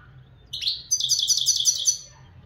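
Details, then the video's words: Loud, close European goldfinch from Morocco: a buzzy, slurred opening note followed by a fast string of bright, high, jingling notes, repeated about six times in one second. "مقنين حسون بلدي"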